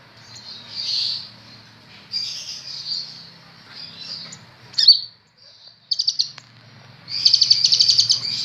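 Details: Newly acquired kolibri ninja sunbird singing in captivity: sweeping high-pitched twittering phrases, a sharp note and brief pause, then bursts of rapid ticking trills, with soft low rumble beneath.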